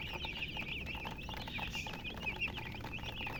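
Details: Colored chickens and a hen: bright, sharp chirps tumbling over one another in quick succession, high and thin, with a faint low rumble underneath.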